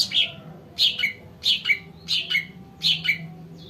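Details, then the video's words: Sumatran cucak ranting, recorded for luring wild birds, giving sharp two-part calls, a high chip dropping to a lower slurred note, repeated roughly every 0.7 seconds over a soft low hum. "CUCAK RANTING SUMATRA COCOK BUAT PANCINGAN BURUNG BAHAN"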